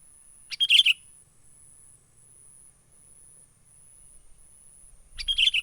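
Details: Menggaruda-style lure call of a wild sooty-headed bulbul, used to trap birds: two brief clusters of sharp, bright chirps about four and a half seconds apart, with a low thump near the end.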